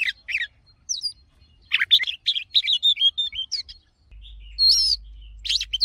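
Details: An Oriental magpie-robin sings a wild-type, forest-style song: a varied, rich run of clear whistles, trills and sweet chirps, high-pitched and quickly delivered in bursts, with a faint steady hum behind.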